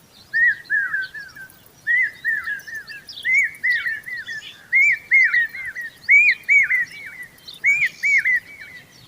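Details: Indian common babbler, a mother fanning her chicks with her feathers: loud paired down-slurred whistled notes in short bursts of two to three, repeated about every second, with faint high chirping from other birds behind.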